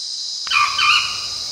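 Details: Sri Lanka junglefowl, wild, at Monaragala in Sri Lanka; a short harsh two-part call with a rising then wavering tone, over a steady loud high insect drone.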